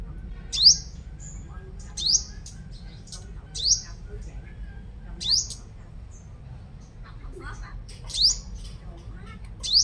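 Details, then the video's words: Lure sunbird noted for vigorous singing, Long Thành, Đồng Nai province, Vietnam; piercing high rising notes repeated at irregular one-to-two-second gaps, with faint softer chips between, against steady low rumble. "Chim Hút Mật 5 Màu Mồi Siêu Hót"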